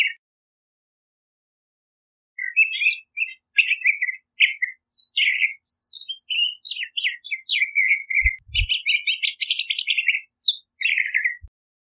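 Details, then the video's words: California scrub jay song: a long, fast jumble of short twittering and squeaky notes that rise and fall in pitch, growing denser toward the end, with a few quiet low thuds. "California Scrub Jay Song! Call! Sound! Singing!"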